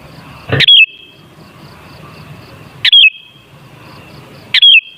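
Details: Sooty-headed bulbul, its song used as a lure to make bulbuls sing; three short whistled phrases, each a quick rising-falling flourish ending in a held thin note, spaced roughly two seconds apart over faint steady background noise.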